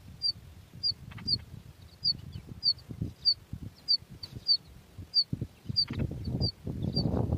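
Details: Nestling bush larks, a hungry pair, repeat clear, thin, high chirps at a fairly even pace of about two per second, with soft low thumps and rustles beneath.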